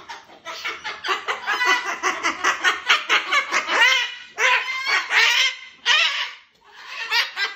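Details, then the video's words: Pair of pet cockatoos duetting before bedtime, their loud, grating screeches overlapping in quick, uneven bursts, with a few longer rising squawks near the end and a short gap before a final call. "The Crazy Cockatoos - Duet Before Bed"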